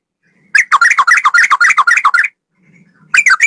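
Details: Male sooty-headed bulbul, recorded to tutor other birds, in a straw-headed-bulbul-like song. A dense rapid warbling chatter of about twenty notes in under two seconds, a brief gap, then a new burst starts.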